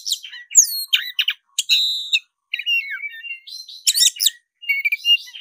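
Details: Black-breasted Oriental magpie-robin in fighting mode, singing constantly: a rapid, varied string of sharp whistles, chirps and buzzy trills, some notes sliding down, with short pauses between bursts.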